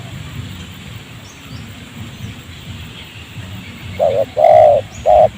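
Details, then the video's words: After several seconds of quiet hiss, a spotted dove gives three coos, short, long, short, while a wild bird responds to a decoy during trapping in a rubber garden near a settlement. "bl ya terlalu emosi tinggi ketika dengar suara ajaran kita"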